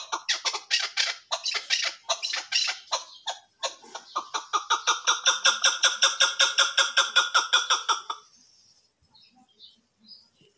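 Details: Chukar partridge, locally called kabk and described as mast, gives rapid rhythmic chuk notes: ragged at first, then an even, steady series of about two or three per second that stops abruptly, leaving near silence with a few faint sounds.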